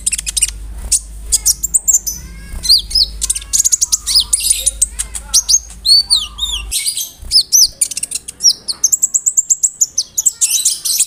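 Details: Konin in full voice mixing cricket and bird imitations for tutoring songbirds like murai and lovebirds: long rapid series of piercing chirps, looping whistles and sweeping notes, with a low hum that stops midway.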